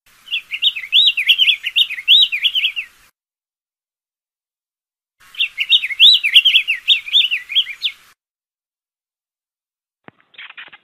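Diademed tanager singing two rapid, warbling phrases of up-and-down whistled notes, each lasting about three seconds with a pause between, and a brief faint call at the end.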